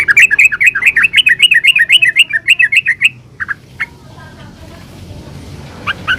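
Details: Rolling rapid 'ropel' song of a yellow-vented bulbul, used as a lure so other bulbuls respond: a fast trill-like chain of about four notes per second for three seconds, followed by a few isolated chirps and quiet.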